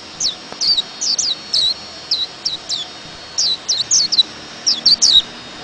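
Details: White-eye producing sparse, slightly softer high chirps that dip in pitch, scattered in small clusters over a faint hiss.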